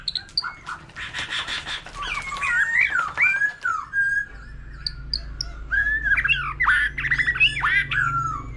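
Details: White-rumped shama, a forest-matured bird with a laughingthrush nearby, delivering a long varied sequence: dense chattering, then looping whistled phrases, scattered high notes, and more warbling flourishes.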